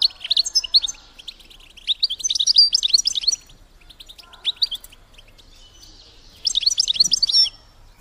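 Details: Female European goldfinch call to stimulate mating in males: a lively high twittering phrase for over three seconds, scattered chips, then another dense twittering burst near the end.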